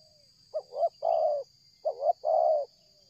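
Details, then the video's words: Two back-to-back phrases from a spotted dove cooing nonstop while coming nearer during trapping, each a brief double stutter then a sustained throaty coo, over a constant high-pitched whine. "tekukur ini kuat nguku dari jauh mendekat nguku takberhenti"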